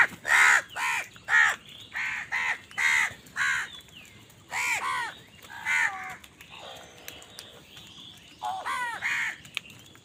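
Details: Crows calling loudly while fighting for food, a rapid run of harsh caws early on, then scattered hoarse calls and a few overlapping voices, with a quieter stretch before a final burst.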